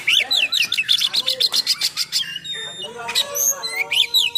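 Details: Oriental magpie-robin in full, rough-filled 'nembak' song, used to provoke and train other magpie-robins: a rapid string of about twenty sharp, high chips at an even pace, then slurred whistles and a buzzy ending.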